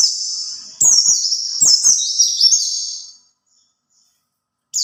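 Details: White-eye singing as a lure for other white-eyes: three quickly linked high warbling phrases with downward-swooping notes and crisp ticks, followed by a silent gap before another phrase begins.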